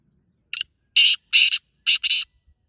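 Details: Loud grating call of a wild black francolin (teetar) in Pakistan, a short opening note then four rasping buzzy notes, the last two run close together.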